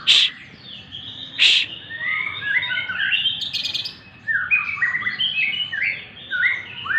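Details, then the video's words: Morning sunning white-rumped shama pouring out a fast, varied song of bright slurred whistles and chirpy notes, opening after two sharp hissing shushes from a person. "burung murai"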